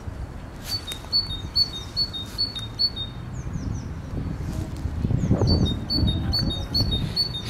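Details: Song of a great tit: sharp paired notes, high then lower, repeated in quick series, a short run of falling notes in the middle, then the two-note phrase resumes over gentle low background noise.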